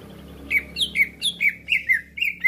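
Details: Lure call of cucak ijo used to attract others for trapping: bright downslurred whistles repeated roughly every quarter second, each sweeping down from a high start, over a faint low hum.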